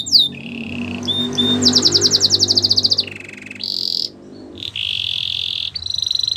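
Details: Belgian canary training song for young canaries, with a fast high rolling trill, lower rattles and long sustained tremolo notes, over a faint low hum in the background.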